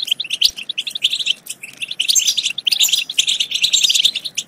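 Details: European goldfinch singing to spur other goldfinches into song and mating: lively, jangling chirps and trills in quick bursts separated by brief silences.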